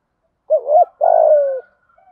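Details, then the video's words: Spotted dove giving a hoarse, low cooing phrase: a short wavering two-part coo followed by a longer steady, slightly falling coo, sung in a fast, urgent cooing style. "Tiếng cu gáy thúc gù giọng thổ hay"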